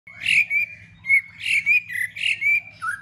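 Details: White-rumped shama giving its fighting song to rouse other shamas: clear whistled notes near one steady pitch, repeated about every half second with short slurred endings, over a steady low hum.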